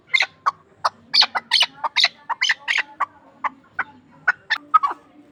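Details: Ishkoshim hunting chukar partridge calling in a series of bright, separated chuk notes, roughly three per second, with a faint low hum underneath.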